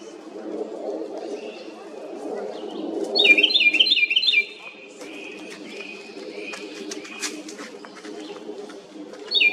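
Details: Small house wren making a loud noise: a sharp, rapid chattering trill about a second and a half long, followed by fainter high chips, and the start of another trill at the end.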